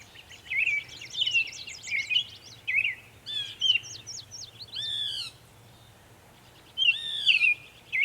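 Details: Mockingbird singing many sounds at Savannah, New York on 23 May 2021: fast repeated chattering runs, a series of clipped rising notes, two loud downslurred sweeps, then a pause before more varied phrases.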